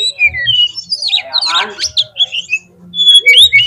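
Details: Oriental magpie-robin uttering a lure song to stir other magpie-robins into singing. Scratchy, squawking notes and whistled slurs mix together, ending in bright rising whistles.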